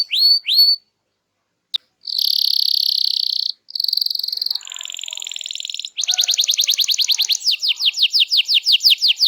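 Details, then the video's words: Energetic canary song meant to coax silent birds into answering: brief whistled upslurs, a long steady buzzing trill, a lower rattling roll, then a run of repeated sweeping downslurred notes speeding along. "Kicau Burung Kenari Gacor Ngegas untuk Pancing Burung Diem"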